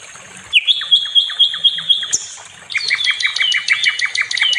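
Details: Nightingale, known locally as sikatan londo, singing on a recording used to train other songbirds: a long pure whistle held steady, then a fast series of repeated sharp chirping notes at two pitches.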